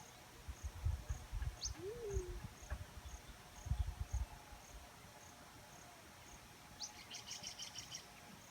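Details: Black-chinned fruit dove calling once, a low mellow hoot bending upward then falling. Low rumbling noise beneath it, and a rapid burst of high insect pulses near the end.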